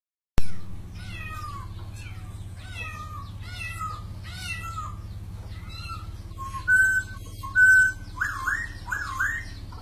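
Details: White-crested laughingthrush (poksay) singing: a run of harmonic, downslurred notes, then bright whistled notes and rising slurred phrases near the end, over a steady low hum.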